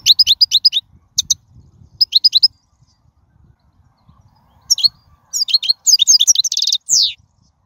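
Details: European goldfinch in the wild, song used to tutor fledglings: short groups of high, bright chirps, a quiet pause, then a long rapid twittering phrase with a buzzy trill and a descending slur at the end.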